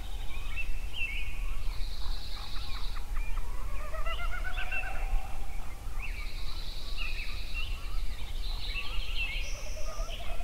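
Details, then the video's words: Sunrise songbirds in Yellowstone sing together, with quick chips, rolling warbled phrases, rising whistles and repeated high buzzing trills filling the air above a low continuous rumble. "Sunrise Songbirds at Yellowstone"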